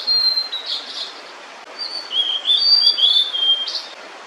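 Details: Holding food for her chicks, a female blue-and-white flycatcher sings: a short run of whistles, a brief pause, then a longer phrase of slurred, wavering high notes.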